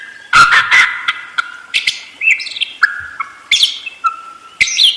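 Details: Budgerigar warbling steadily: scratchy chirps mixed with short level whistled tones and clicks, running on with little pause.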